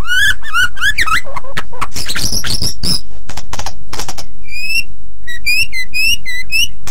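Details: Energetic white-rumped shama song, a tutor recording for other songbirds: opening rolling whistled phrases, then a burst of harsh chattering and clicks, ending in clear rising whistles repeated about twice a second.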